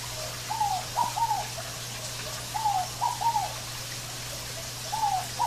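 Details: Natural-ambience recording of a Scaled dove repeating its three-syllable cooing song about every two seconds, mellow falling notes with a steady low hum and light background hiss.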